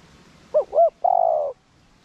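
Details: Spotted dove kept to provoke others into calling, cooing 'gù' style: one phrase made of two quick arched hollow notes followed by a half-second steady low coo.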